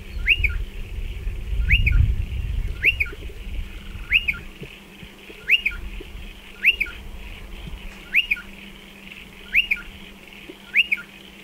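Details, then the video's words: Striated pardalote calling around its nest burrows in a dry stone wall. About nine crisp, arched whistles, each paired with a short follow-up note, come steadily every 1.2 seconds. A low rumble sounds near the start. "Striated Pardalote calls and behaviour"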